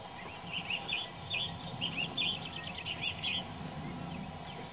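Swamp harrier giving a rapid string of thin, high, chattering notes for about three seconds over a steady rumble of wind.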